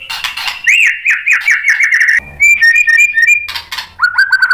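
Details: White-rumped shama singing as bait for rival shamas: a repeated series of short rising whistles, a run of bright pure whistled notes, then a scratchy burst and further slurred whistles.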